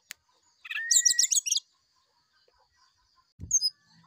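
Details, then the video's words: Oriental magpie-robin in the morning: buzzy chattering notes over a long rising whistle, a brief sulingan phrase, then a low thump and a couple of high chips. "Suara sulingan srdc di pagi hari"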